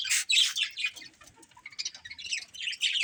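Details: Pet budgerigars in a family group giving bright, sharp chirps and rapid twittering, loud bursts at the start then softer chattering phrases and a few high squeaks.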